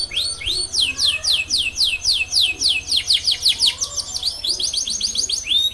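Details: Canary in long, vigorous song meant to prompt other canaries to join in: a steady series of bright, rising whistled sweeps repeated roughly twice a second, with faint lower warbles underneath.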